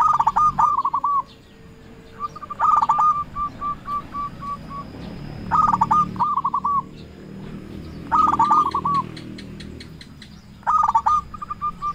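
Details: Zebra dove of local stock calling rivals as a decoy bird: repeated mellow phrases of rapid pulsed notes running into smooth trilled coos, one stretched into a long evenly spaced series, over faint background rumble.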